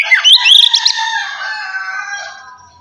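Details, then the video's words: Oriental magpie-robin ngeplong song, played to stimulate untrained magpie-robins: a brief burst of sharp, high whistled notes trailing into a long ringing, echoing fade. "kacer ngeplong santai ampuh merangsang kacer bahan agar cepat bunyi"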